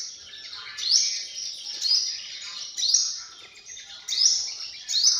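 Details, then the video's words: Sunbird giving a series of very high, buzzy, sizzling calls, each rising to a sharp peak, repeated roughly once per second. "tiếng chim hút mật"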